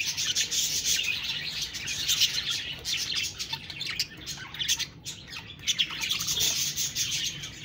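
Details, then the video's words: Budgies talking and chirping: scratchy high chatter and squeaky notes rising and falling in bursts, with a brief lull midway before the warbling resumes. "Budgies Birds talking sound Birds chirping sounds"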